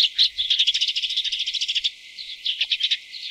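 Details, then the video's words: A tree swallow feeding its chicks: rapid, evenly spaced high chirps for about two seconds, a brief lull, then a few louder separate chirps. "雙色樹燕-育雛/Tree Swallow-Feeding chicks"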